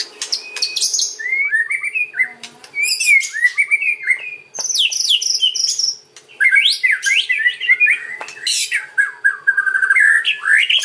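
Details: White-rumped shama song in kretekan and ocean style, meant to lure other shamas into replying: long, busy sequence of whistled warbles, buzzy trills and crackling high bursts, delivered almost continuously.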